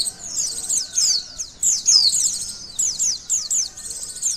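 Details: Lively high-pitched chatter from a white-eye, in a test of a bird's emotion and arousal: dense runs of thin, downward-slurred notes in rapid bursts, with brief gaps between phrases.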